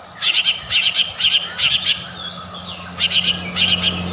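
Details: White-rumped shama lure song meant to provoke singing: rapid bursts of three or four high, bright chattering notes repeated about every half second, a brief pause, then more of the same bursts over a faint low hum.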